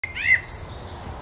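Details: Common blackbird (Turdus merula) singing while perched in a linden tree in Helsinki, Finland, June 2013; a brief fluted phrase that rises and falls, then a thin high squeaky twitter; faint low rumble underneath.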